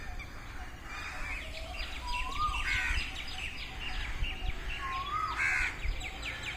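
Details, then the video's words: Peacocks calling in a field in the early morning: two loud hooked calls, each sharply rising then falling, about three seconds apart, over a busy background of chirping small birds and steady outdoor noise. "early morning peacocks in field"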